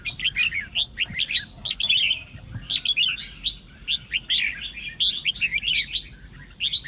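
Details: Sông Kôn style red-whiskered bulbul singing, used to draw other bulbuls into song. Lively, warbling whistled phrases come in repeated bursts separated by brief silences.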